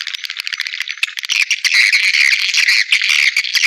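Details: Lure playback for attracting swiftlets to nesting houses: quick, sparse clicking chirps at first, swelling into a thick, continuous buzzy chatter of many overlapping calls.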